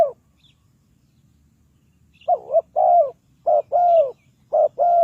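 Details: Spotted dove calling as a trap decoy for wild doves. After a quiet start, it gives a series of mellow, hollow coos in pairs: a short wavering note, then a longer note that falls slightly, repeated about once a second.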